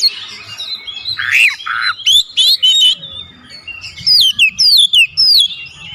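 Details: Kacer song with mimicked phrases: busy chirping and squeaky notes over low background rumble, followed by evenly spaced, crisp whistled notes sweeping down, about five in a row.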